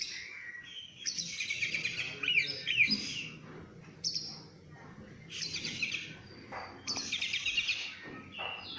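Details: Oriental magpie-robin (kacer) delivering bursts of rich, scratchy warbling and high trills, then squeaky notes, in phrases of one to two seconds separated by short pauses.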